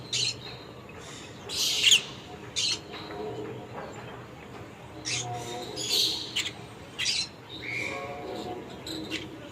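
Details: Conure kept as a pet, calling in rough, screechy bursts that come in loose clusters every second or two, with faint low room noise beneath.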